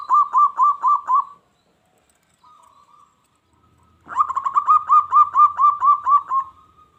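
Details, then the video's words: Singing local zebra dove, meant to stir wild doves into calling back and attacking: a short string of rapid coos, a quiet soft hum, then a longer rolling series of about a dozen ringing notes. "SUARA PERKUTUT LOKAL GACOR"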